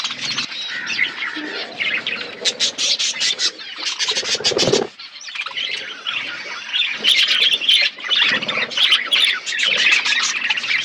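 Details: Many budgerigars feeding in an outdoor aviary keep up a continuous scratchy chatter of chirps and squeals, broken by a brief lull before the twittering swells again.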